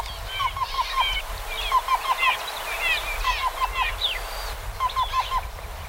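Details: Black-billed cuckoo singing soft, hollow notes in quick groups of about four, repeated several times, amid a busy chorus of other birds with higher chirps and whistles and a low steady rumble.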